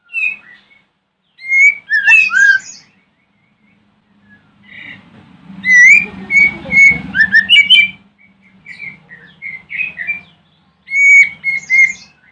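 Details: Morning white-rumped shama song meant to provoke other shamas into answering: loud whistled phrases of slurred and looping notes in several bursts, over a steady low hum.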